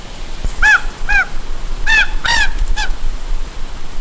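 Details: Raven giving a series of hoarse, croaking notes with a bent, nasal tone, about five calls spread over two seconds, against steady wind or background noise.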